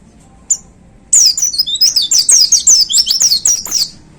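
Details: One high chip from a caged pleci (white-eye), then a three-second 'tembakan' song: a fast, unbroken cascade of thin, high, descending slurred notes in its hanging cage.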